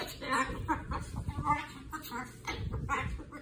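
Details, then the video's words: A pet umbrella cockatoo goes off, letting out harsh, raspy squawks in quick bursts, about two each second, with low voices and room noise underneath. "Umbrella cockatoo goes off"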